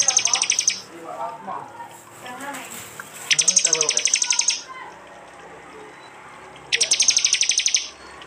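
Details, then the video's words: Prinia song recorded by Android phone in East Java, mixed for songbird training: three bursts of very rapid, buzzy high trilled notes separated by quieter stretches with faint lower chirps and background noise. "masteran Tembakan prenjak jali keras"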